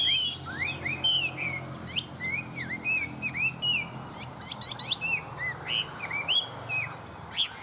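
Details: Tame caged hwamei giving an elaborate song of swooping whistles, sharp upward flicks and clusters of fast chirping notes, varying phrase to phrase, over a low background hum.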